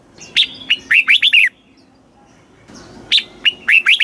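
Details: Song of a red-whiskered bulbul in the southern master-phrase style, used to rouse caged birds: a lively phrase of sharp notes and looping whistles, a one-second silence, then the same phrase repeated.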